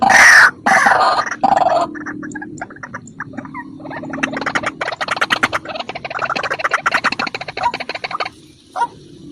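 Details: White-breasted waterhen call played as a lure tape for trapping waterhens: a few loud harsh bursts open, then a long run of rapid, clicking, croaking pulses that grow quieter and more broken toward the end.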